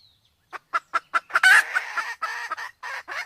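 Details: Sumatran red junglefowl, male and female, female in heat, lure recording: a few spaced clucks speeding up into a harsh squawking burst, then rougher overlapping clucks.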